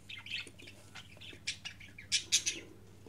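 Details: Budgerigar chick, 15 days old, kept as a pet, walking, sitting, preening and scratching its leg; soft high chirps and squeaks scattered through, with a few louder sharp peeps near the end over a low steady hum.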